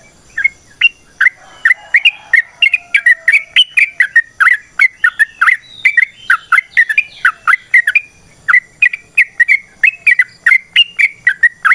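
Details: Yellow-vented bulbul (trucukan) in long, lively 'gacor ropel panjang' singing, used as a lure to train other birds: a steady run of short chirped and slurred whistled notes, about three per second, with several birds overlapping.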